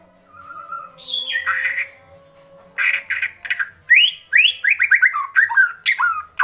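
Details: White-rumped shama, agitated, in kretekan: a soft whistle and quiet pause, then a rapid volley of sharp rising and falling notes with harsh crackling bursts, growing louder.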